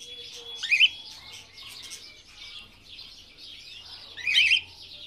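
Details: Belgian canaries kept in an aviary, soft scattered twitters in the background with two loud, quick warbling chirp bursts close by, one early and one near the end.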